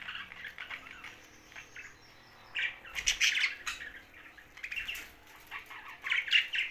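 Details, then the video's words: Young budgerigar giving short scratchy chirps in scattered bursts, with quiet gaps between the louder clusters of notes. "Young Budgie's Sound's"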